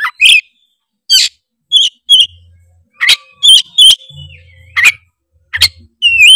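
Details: Oriental magpie-robin (kacer) tretes song meant to provoke other birds: clusters of sharp chattering bursts and whistled notes, ending in a clear rising whistle, with faint low hum patches.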